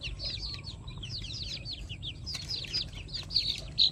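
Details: A flock of pet chickens calling with bright, high downslurred peeps delivered in fast overlapping series, growing louder toward the end, with low background rumble.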